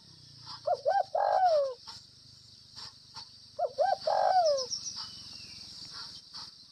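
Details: Gù (bo) cooing by a spotted dove from Northwest Vietnam: two matching phrases three seconds apart, each a stutter of short notes leading into a loud, long descending coo, over a continuous high-pitched hiss.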